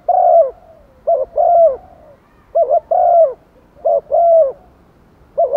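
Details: Decoy spotted dove luring wild doves with rapid cooing, a brief doubled note then a longer descending coo, repeated about every one and a half seconds.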